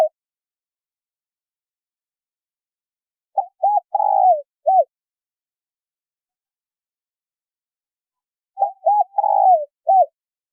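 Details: Spotted dove female calling to stimulate a male: two full phrases about five seconds apart, each of two short coos, a long rolling falling coo and a closing hoot, separated by silence.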